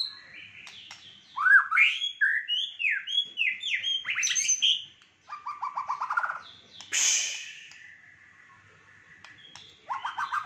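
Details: White-rumped shama delivering a fighter-style song with luxurious fill: tumbling downslurred whistles, a rapid stuttering trill, a harsh noisy note and a long level whistle.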